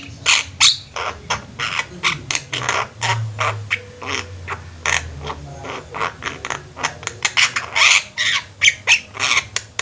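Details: Javan myna flock (jalak kebo) kept together, singing actively: dense run of harsh, clicking and squeaky broadband notes, many rapid chattering bursts with a few whistled squeaks, continuous chorus of several birds, low hum underneath.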